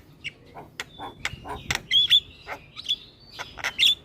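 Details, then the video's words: Javan myna singing hard with head-nodding, used to coax lazy mynas into song: scattered clicks and rasping notes mixed with thin level whistles and several bright, piercing whistled accents. "Burung Jalak Kebo Gacor Full Manggut Manggut"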